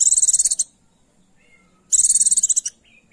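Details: Female Oriental white-eye calling a male to spur his singing: a very high pulsed trill at the opening, then another after about a second of near silence, with faint low chirps around them.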